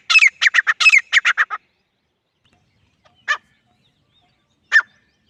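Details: Grey francolin with a quick burst of harsh, clustered notes followed by two isolated single calls after long pauses.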